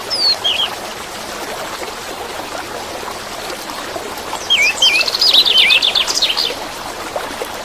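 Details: Orange-headed thrush singing over steady flowing water, played as therapy for caged birds that have stopped singing; a brief whistled note opens, then after a pause a burst of rapid, varied whistles and chattering trills.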